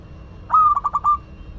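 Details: A local Madura zebra dove singing lively: one brief phrase made of a level whistled note and then four or five quick, stuttering, cooing pulses, with a faint hum behind.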